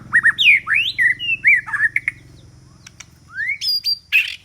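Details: White-rumped shama singing, used as a decoy to lure rival birds: rich whistled phrases with rising and falling slurs, short chirps and sweeping notes, separated by brief pauses, over a steady low hum.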